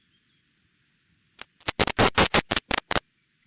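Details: Golden-crowned Kinglet song, sung from high in the canopy at dawn: four or five very high, thin, slurred notes, then a quicker burst of sharp, harsher notes that speeds up toward the end, like a bouncing ball.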